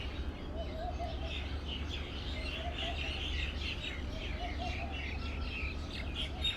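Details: Birds chirping on a morning: many soft overlapping twitters and short warbled notes blend into a continuous chorus, with a steady low rumble of background noise.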